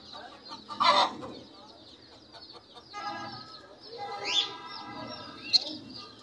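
A budgerigar gives a harsh squawk, then buzzy warbling chatter with a quick rising whistle and a sharp chirp.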